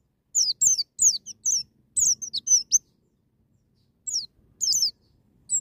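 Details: Wild-style white-eye song used to spur a young bird into singing: rapid series of sharp, high, descending chirps in irregular bursts, then a pause and a few more notes.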